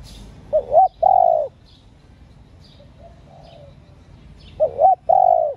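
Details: Spotted dove hen calling to rouse male doves: a double coo then a long low coo, repeated after about four seconds, with quieter coos from farther away and sparse high chirps between.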